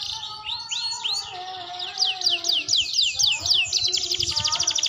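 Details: Practice song from a young canary learning to sing: curved whistled sweeps, then fast regular trills of about four notes a second, over faint steady low tones and soft background rumble.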